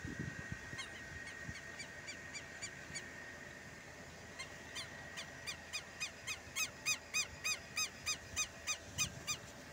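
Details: Southern lapwing at a rural smallholding in Brazil: faint distant harsh notes at first, then a closer, louder, very regular series of rasping calls about three per second, over soft hiss.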